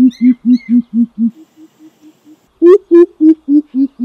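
Greater coucal giving deep, hollow hoots, about four a second, in two runs: a softer falling series, then a louder series that also drops in pitch.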